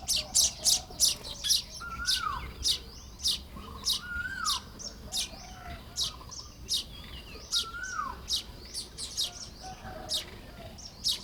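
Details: Baya weavers at work on their nests one morning in Lop Buri, Thailand, in May 2026: a steady run of short, high, dry chirps roughly every half second, mixed with occasional falling whistled notes from another bird.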